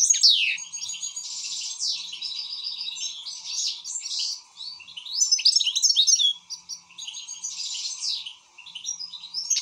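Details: European goldfinch, excited, pouring out rapid liquid twitters mixed with buzzy rattles and quick whistled slides, nearly continuous with brief gaps; a low steady hum in the background.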